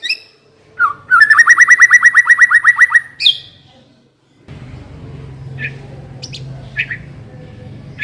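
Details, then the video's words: White-rumped shama song as a lure to prompt singing: a low whistled note, then a fast buzzy rattle of about twenty pulses, a sharp high call, and later scattered soft high chips over a low hum. "Pancingan suara burung murai batu agar cepat bunyi dan ngeplong"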